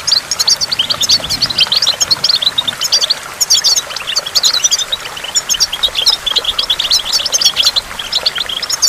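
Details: Goldfinch singing by a waterfall: a fast, continuous stream of high twittering notes and short trills, steady throughout, over a soft hiss of falling water.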